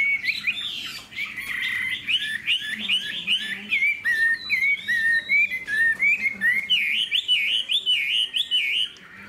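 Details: Caged Hwamei with a spread tail, kept as a songbird, sings a loud run of rich whistled phrases, rising and falling in quick slurred loops with sharp clicks between them, almost without pause.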